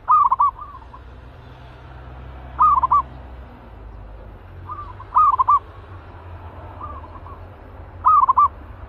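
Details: Caged zebra dove described as fierce, kept as a trapping decoy, calling again: four short, rapid, bubbling staccato coo phrases, each under a second, spaced about every two and a half seconds, over a low steady background hum.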